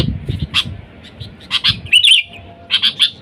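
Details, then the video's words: Sooty-headed bulbul calling to wild birds, sound used to lure bulbuls: short bright chirps spaced out, then a quick burst of whistled, bubbling notes near the end. Low rumbling background noise early on. "Suara Dasar Burung Kutilang Gacor Memanggil TEMAN LIAR, Suara Bagus untuk pikat Kutilang & pancingan"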